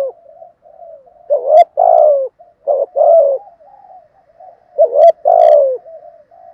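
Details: Spotted dove, thúc gù style cooing to stimulate a captive decoy dove: three loud hoarse phrases, each a quick upswept note followed by a drawn-out descending coo, with quiet soft coos filling the gaps.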